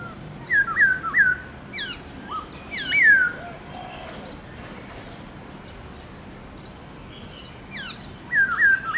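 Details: Kept black-throated laughingthrush giving its many-noted forest-style morning song: a triplet of bright looping whistles, sharp downward slurs, a quiet gap of several seconds, then the looping whistled triplet again.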